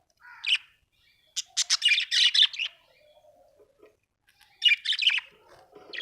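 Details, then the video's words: Happy pet budgerigar chirping: bursts of bright, buzzy, warbling chirps, a short note, then a dense rapid chatter, a pause with soft murmurs, then another quick chirpy burst. Quiet background. "Happy budgie chirping sound"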